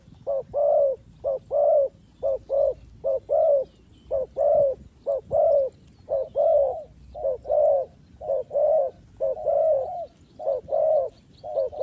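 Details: Spotted dove cooing as a lure for trapping: a long, unbroken series of soft low coos, a short note and a longer croo alternating roughly once a second for about twelve seconds, with faint distant chirps.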